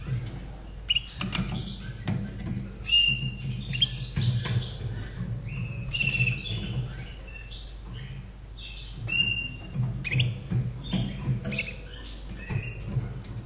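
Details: Caged Slavujar song canary from Austria, hatched in 2011, singing a short song: scattered clear whistled notes and chirps, high and brief, spread across the passage over a steady low hum.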